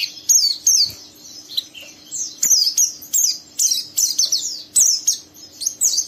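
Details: Young oriental white-eye in rough 'ngeriwik' twittering, goading an untrained white-eye to sing; crisp, high descending chirps repeated in bursts about every half second, with a faint background hum.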